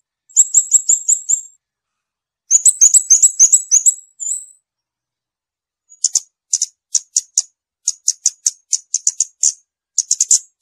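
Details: Scarlet-backed flowerpecker song: rapid trills of very high, thin ticking notes in bursts of about a second, then a looser run of sharp, evenly spaced high clicks; clean background with no other sounds.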